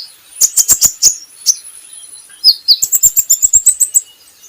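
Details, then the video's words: Training recording of a brown-throated sunbird: a burst of rapid high chirps, two slurred whistles, then a long, even series of sharp, high twittering notes. "PANCINGAN KOLIBRI NINJA Bahan Agar Bunyi || MASTERAN Konin Agar Cepat Gacor"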